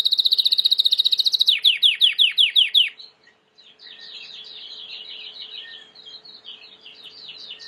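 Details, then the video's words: White Timbrado canary singing, a recording for training: a rapid bright trill, then a series of falling, sweeping whistled notes, a short pause, and soft warbling chatter, with a faint steady hum. "Chant de Canari timbrado / the wonderful sounds of canary bird chirping / canario timbrado cantando"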